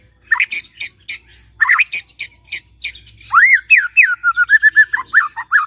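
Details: White-rumped shama, used as a morning lure for a silent shama: harsh rasping notes at first, then arched whistles and a quick trilled series.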